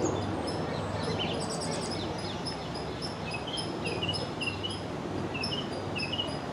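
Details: Song thrush singing from a tree beside the Long Water; high clear phrases, several repeated in quick succession, over steady background rumble.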